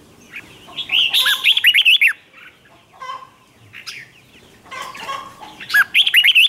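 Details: Red-whiskered bulbul contest song, played to provoke wild bulbuls into singing back: bursts of bright, bubbly, up-and-down whistled notes, a pause with softer chatter, then another lively warbled burst.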